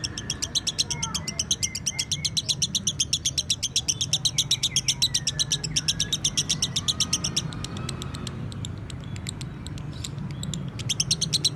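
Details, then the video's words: Long-drawn 'narik panjang' singing from a champion lovebird in a 'masteran' recording: an unbroken stream of rapid, high, chattering chips for over eleven seconds, with faint sliding whistles and a steady low rumble behind. "Masteran Lovebird"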